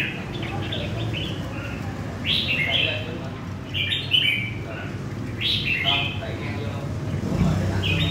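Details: Central Vietnamese red-whiskered bulbul, caught from the wild, singing lively chattering warbles in repeated short bursts roughly every one to two seconds, with a low hum and faint voices behind.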